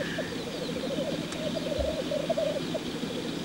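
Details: Male black grouse at a lek giving rapid rolling bubbling rookoo notes, a dove-like cooing warble sustained throughout, over faint background bird calls.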